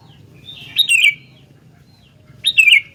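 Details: Sooty-headed bulbul in full voice gives two quick phrases. Each begins with a sharp upward flick, then slides down through a burbling, slightly buzzy trill. A quiet pause separates them, with a low background hum.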